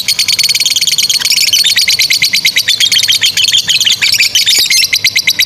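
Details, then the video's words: Long ngekek song of a lovebird meant for tutoring young or silent birds, a fast stream of sharp, high chattering pulses that quickens in places and runs without pause. "GACOR SUARA 16a love bird ngekek PANJANG INI Cocok untuk Masteran love bird paud dan Macet"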